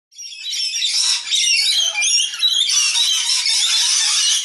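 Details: Group of juvenile rainbow lorikeets fighting over food, as they do every day; continuous harsh, screechy squawking from several birds overlapping, dense and noisy, with little pause.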